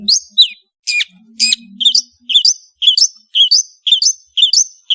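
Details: Long-tailed shrike (cendet) singing: sharp, sweeping whistled notes, then a regular series of clipped two-part chirps rising in pitch, roughly two per second, with a faint low hum in the background.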